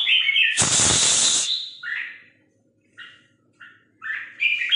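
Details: Hunting decoy Red-whiskered Bulbul singing 'ché'-style song: a brief whistled phrase, a long harsh hissing burst, then scattered short warbled notes with pauses between them.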